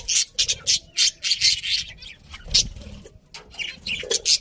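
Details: Loud, harsh budgerigar chirps come in quick pulses roughly every quarter second, grating and noisy, with brief pauses and lower squawks between.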